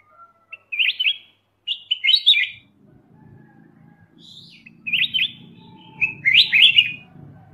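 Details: Black-crested bulbul, Pycnonotus melanicterus, uttering short warbled phrases of quick rising and falling notes, about five bursts, over a faint low rumble in the background.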